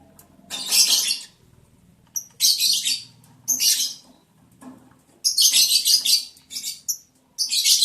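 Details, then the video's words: Lovebirds mating during the breeding season, day 11 of breeding progress, July 11, 2022: repeated strident, raspy chirps, some doubled, with a busier run of rapid calls near the end over a faint low hum. "sound love birds Mating"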